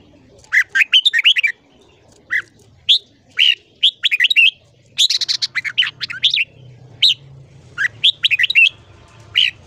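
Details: Red-whiskered bulbul giving morning song for voice training: bright, loud whistled phrases with quick rising and falling notes in bursts of two to four, over a faint low hum.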